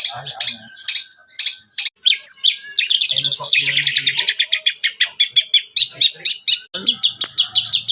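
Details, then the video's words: Young Priangan long-tailed shrike, past its spotted juvenile stage, delivers a vigorous high song of scratchy chatter, mimicked chirps and rapid repeated notes with short pauses, and faint low background noises. "Cendet Priangan"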